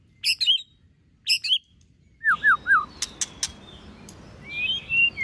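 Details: White-rumped shama singing in competition style: paired high twittering bursts a second apart, then three looping downslurred whistles followed by sharp clicks and drawn-out warbled whistles over a steady hiss.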